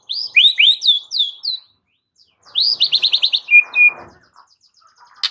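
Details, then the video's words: White-rumped shama song meant to coax a quiet bird into singing: a string of rising, slurred whistles, a short pause, then a rapid burst of about six sharp notes and two level, ringing whistles. "Murai Batu MANDEK jadi NARUNG dengar MASTERAN ini"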